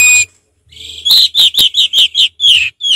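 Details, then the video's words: Orange-headed thrush singing in relaxed 'ngeplong' style: a short high note, a pause, then a rapid series of loud, clear whistled notes falling slightly in pitch, about eight in under two seconds. "Anis merah ngeplong santai"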